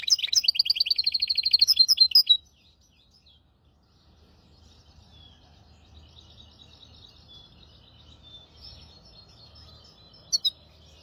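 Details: Caged hybrid finch song, used as a tutor for goldfinches and canaries, in the hafada and widani styles: a fast, high, buzzy trill of rapid repeated notes lasting about two seconds, then near silence with faint distant twitters and two sharp clicks near the end.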